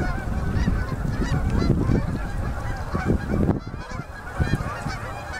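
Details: Huge fall-migrating flocks of Canada geese landing on a river at sunset in Manitoba, Canada, October 2018: a dense, overlapping chorus of nasal honks with heavy low rumble of wind and wingbeats underneath.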